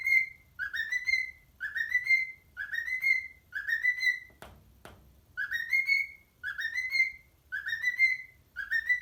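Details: Whistling pet parrot performing for parrot friends, Addams Family remix: tune-like groups of rising whistled notes repeated about once a second, broken midway by two sharp snapping clicks, faint low hum underneath.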